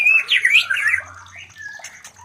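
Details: A white-rumped shama gives mating sounds used to spur other shamas to breed: a clear whistle, then a loud swooping warbled phrase fading into softer notes and a thin whistle.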